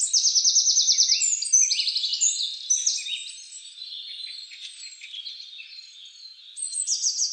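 American goldfinch song: a lively, high run of rapid twittering notes, buzzy trills and quick slurred chirps, with a fast trill returning at the end.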